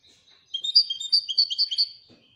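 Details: Royal European goldfinch singing a short, fast twittering phrase of bright high notes with tinkling trills, lasting under two seconds, with a faint low knock near the end.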